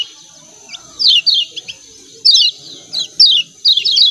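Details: "Ciak ciak" calls of a lemon-bellied white-eye (kecial kuning) from Lombok: sharp, high, falling chirps in small bunches, with irregular pauses, over a faint hiss and low murmur.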